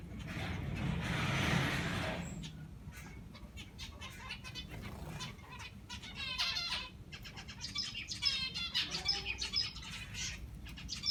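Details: Aviary zebra finches give short, nasal, trumpet-like calls in quick repeated bursts after some rustling, while grass is being prepared as nesting material.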